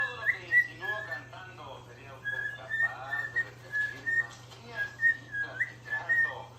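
A white-faced cockatiel whistles a learned tune to another cockatiel, clear high notes mixed with chattery warbling.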